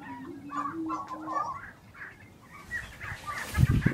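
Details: Grouse lek in Colorado in April 2023: a low drawn-out tone and quick clucking notes open the recording, then scattered higher chirps follow, ending in rough low handling or wind noise.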